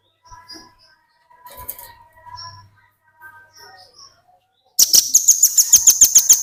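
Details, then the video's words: Velvet-fronted nuthatch kept as a tutor bird for training other birds, singing in an energetic burst: soft scattered chirps and tonal notes first, then a loud, rapid trill of sharp high notes repeated about five times per second. "Burung Rambatan Paruh Merah ngebren || Burung Masteran || Pancingan Burung Rambatan Bahan Ombyokan"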